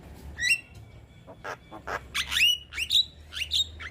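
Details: Young Javan myna song for other mynas to imitate: harsh rising squawks mixed with noisy bursts and a few whistled upslurs, irregularly spaced about twice a second.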